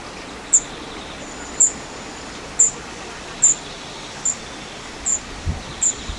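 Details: Spotted flycatcher (Muscicapa striata) at its nest during nesting, 13 June to 13 July 2011: thin, very high, short call notes, about seven evenly spaced at roughly one per second, over steady faint background hiss.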